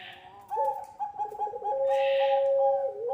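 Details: Actively cooing puter pelung dove, used as a lure and tutor recording for young doves: drawn-out, steady hollow tones with a short wavering stretch, then a long level note ending in a slight upward slide.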